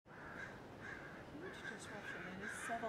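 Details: Crows squawking from a flock in an oak tree outside a house on 12/11/2017, after a louder racket had mostly died down; harsh overlapping caws through the clip with faint background noise.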